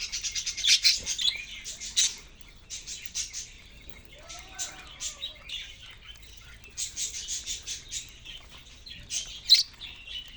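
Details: Rapid runs of sharp, high chirps from caged budgerigars come in quick strings separated by short silences, with a faint lower warble in the middle.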